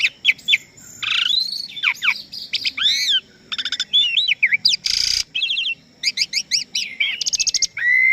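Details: Asian pied starling in full, energetic song, used as a master recording for young and contest birds to copy: dense run of rising and falling whistles, nasal buzzy notes and clicking rattles, almost without pause.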